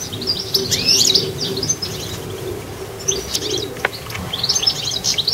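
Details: High twittering phrases from a goldfinch in a garden, short and scattered, with a low soft dove-like cooing underneath and a single sharp click near the end.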